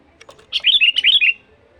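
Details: Lure call of a sooty-headed bulbul for attracting wild birds: a few faint clicks lead into a longer bubbly run of about six quick, slurred whistled notes rising and falling, ending in a trailing note.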